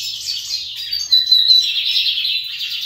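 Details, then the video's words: Several kept Lined seedeaters competing in song: a continuous high, rapid chattering warble with clear whistled notes near the middle, steady and bright throughout the short stretch, with a faint low hum underneath. "Meus bigodinhos disputando canto"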